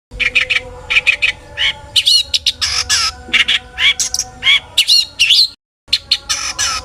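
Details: Long-tailed shrike singing to provoke other shrikes: a busy run of harsh scratchy squawks, chatters and quick slurred whistled notes, densely packed with a brief pause near the end, over a faint low hum.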